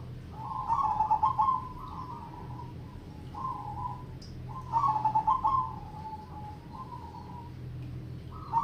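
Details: Zebra dove singing in the crossing rhythm, triple ketek style, in full lively voice; low, mellow cooing phrases open with a rapid trilled burst and trail into steadier held notes, two phrases about four seconds apart over a steady low hum.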